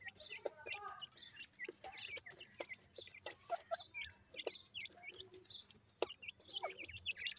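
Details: Grey francolin chicks calling: many short, high peeping chirps, often slurred downward, overlapping irregularly, with scattered clicks and knocks between them.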